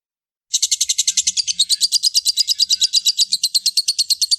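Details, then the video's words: Lovebird giving a long, unbroken ngekek chatter: a fast, even train of high, rattling pulses that starts abruptly after half a second and runs without a pause to the end. "Love bird ngekek panjang ngak putus putus"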